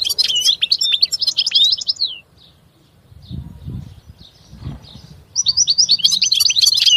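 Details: European goldfinch twittering song, a rapid phrase of high tinkling notes, a quieter stretch of about three seconds with low thuds and handling noise, then another lively burst of chirps.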